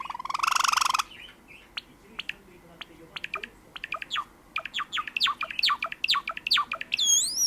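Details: Sakura-coloured pet Java sparrow: a loud buzzy burst opens, then sparse chirps build into a rapid, accelerating string of clipped notes ending on a high wavering whistle.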